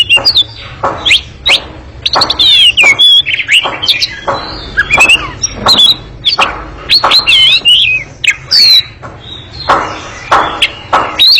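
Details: Oriental magpie-robin giving a long, fast, noisy ngekek chattering song: harsh broadband bursts alternate with bright whistled notes that twist and slur, delivered in rapid unbroken phrases with almost no pauses.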